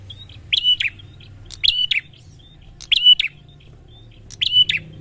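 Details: Four bright prinia phrases spaced about a second apart, each a sharp click, short even whistle and falling tail note, with faint high whistles in the gaps; soft low hum.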